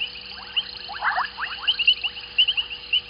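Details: Whistling calls of white-faced whistling ducks at an evening waterhole in Sabi Sand Wildtuin, South Africa; soft whistled bursts with sharp high three-part whistles spaced every quarter to half second.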